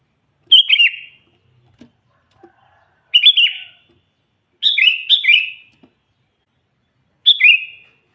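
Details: Sooty-headed bulbul singing to provoke wild rivals: four short, bright, gurgling whistled phrases about every one and a half to two seconds, with a faint steady high tone and soft knocks between them.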